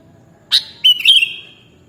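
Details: Sooty-headed bulbul (kutilang) on a training track for caged birds: a sharp opening note, then a warbling whistled phrase that slides down and lingers before fading. Background is quiet.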